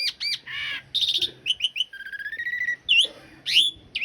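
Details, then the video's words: Asian pied starling singing a rough-filled, long-roll master song meant for cage-bird training: harsh chattering notes, a steady run of rapid buzzy pulses in the middle, then sharp whistled upslurs. "Suara masteran jalak suren isian kasar roll panjang"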